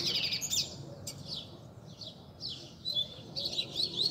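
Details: Caged Rusty-collared seedeaters gathered by bird keepers on a Sunday sing as a group to warm up a competition bird. High, quick twittered and slurred phrases come in bursts with short gaps, over a low background hum.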